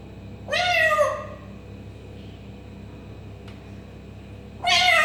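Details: Two separate mewing sounds from an African grey parrot imitating a cat, one falling and one rising abruptly at the end, with a quiet tick and low hum between them.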